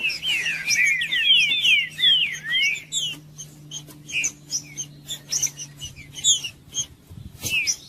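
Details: Trinca-ferro singing to warm up cold caged birds: about three seconds of rapid looping whistled slurs, then scattered high chirps and short notes.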